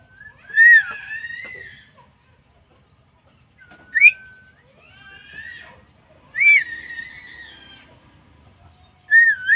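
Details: Javan myna, recorded on 20 May 2024, giving strong, sweeping whistles near 0.7, 4, 6.5 and 9.3 seconds, separated by drawn-out harsh, nasal rasps in a mostly quiet setting.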